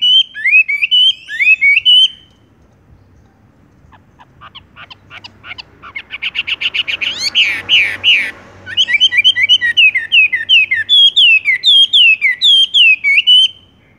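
Horsfield's bush lark sings bright, chirping phrases that dip and rise, breaks into a fast, buzzy rolling trill, then returns to quick repeated chirps.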